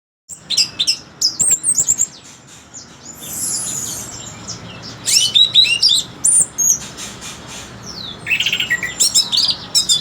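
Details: Orange-headed thrush singing a very melodious song: bursts of high, sharp whistled and twittering notes, some sliding and warbled, delivered in quick clusters separated by short pauses, over a soft background hiss.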